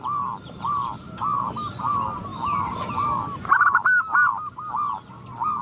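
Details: Several zebra doves answer a female calling for males: a distant, softer string of evenly spaced coos, then a closer, louder burst of rapid rolling notes after the middle, light bird chirps and a constant high hiss around.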